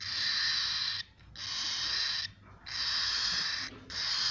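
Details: Young cockatiel chicks producing sustained breathy, hissing rasps roughly a second long, repeated about every one and a half seconds with short quiet gaps.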